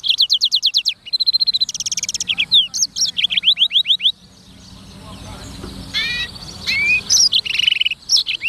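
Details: Black-throated canary singing a long varied sequence of rapid downslurred chirps and buzzy trills, a brief lull, then more whistled and swept notes.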